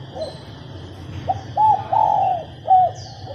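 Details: A female spotted dove coos to prompt males to sing: a soft short note, two mellow coos with the second long and purring, then a crisp short final coo, over a persistent high hum.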